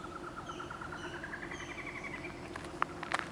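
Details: In a tree at Playa Grande, Costa Rica, a squirrel cuckoo gives a steady series of short whistled notes, about three per second, rising slightly in pitch, followed by a few sharp clicks over a low hum.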